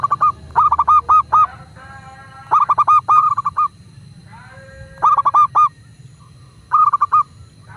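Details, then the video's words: Master recording of a local zebra dove, meant to make kept doves start cooing: four phrases of rapid, bouncing, hollow notes, five to six each, spaced about two seconds apart, with faint smoother tones between phrases. "Perkutut lokal gacor pancingan agar burung perkutut cepat GACOR dan BUNYI"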